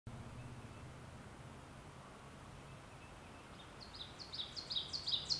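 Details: An Ovenbird (Seiurus aurocapilla) sings high, ringing two-part 'teacher, teacher' phrases that repeat quickly and swell louder in a rising crescendo, after a quiet stretch with a low background hum.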